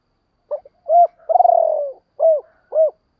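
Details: Spotted dove calling to lure wild doves: a brief clipped note, two hollow mid-pitched coos, a long rolling purr sliding slightly downward, then two more rounded coos, evenly spaced over three seconds, with no other sounds.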